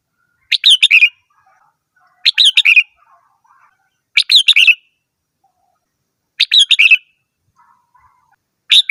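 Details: Red-whiskered bulbul delivering five lively phrases, each a fast run of three or four bright, bubbling notes ending lower, spaced about two seconds apart, with faint distant twitters between.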